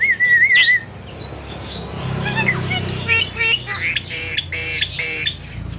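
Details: A young Javan myna opens with a wavering whistle, then breaks into a run of rapid clicking and squeaky chatter notes over background hum.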